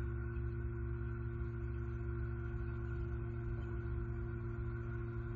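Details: Steady electrical hum with several fixed tones over a low rumble. No eagle or other animal sound is heard.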